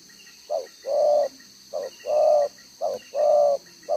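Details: Spotted dove decoy bird with a two-row spotted neck collar, recorded 11 June 2023, cooing in the one-tail-note style: short soft lead notes each followed by a longer, level, mellow coo, repeated steadily, with faint insect hiss behind.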